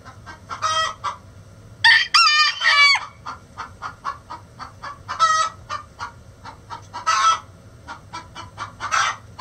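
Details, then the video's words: Chicken egg song: a repeated cycle of rapid clucks punctuated by loud harsh squawks, with one long, high, wavering cackle near the start. "Chicken Sounds Egg Song"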